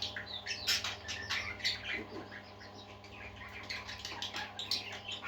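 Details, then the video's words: Group of parakeets singing: rapid overlapping chirps and squawks forming continuous scratchy chatter, with a low steady hum underneath. "Happy Parakeets Singing"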